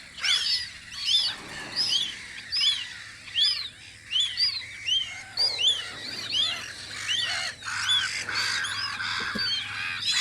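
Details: A loud gull chorus at the Audru polder guarding post in spring, rhythmic arched yelping calls repeated about eighty times a minute in pulsing waves, with a low hum beneath.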